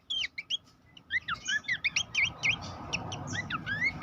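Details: Babbler song used as a training master for songbirds, with quick clear whistles that sweep up and down, given in rapid succession over a low background hum.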